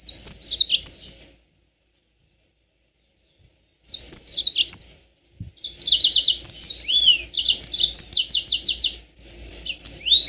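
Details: Yellow-fronted canary (burung mozambik) in full rolling song, played as a lure to make birds sing long: high, fast trills and buzzy repeated notes with sweeping slurs, in phrases separated by short pauses.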